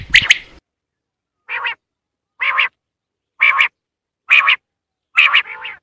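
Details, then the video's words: Quail hunting call. A bright clicky burst is followed by five evenly spaced nasal notes, roughly one per second, with a doubled note at the end. "Batair new vioce in shikar // بٹیر کی نیو ویڈیو اڑنے پر مجبور کر دے // Quail hunting"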